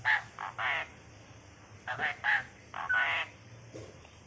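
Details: Tame Asian pied starling that can talk, uttering hoarse, word-like syllable bursts in short groups of two or three, imitating human speech.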